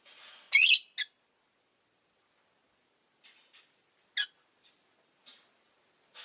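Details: Pet rosy-faced lovebird (Agapornis roseicollis) producing a loud, grating shriek followed by a quick sharp chip, then long quiet stretches broken by one more crisp chip and faint ticks.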